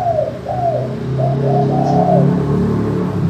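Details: Spotted dove singing a clear crystal manggung call, used to lure other doves into calling: a run of short dipping coos, then a longer note, over a steady low droning hum.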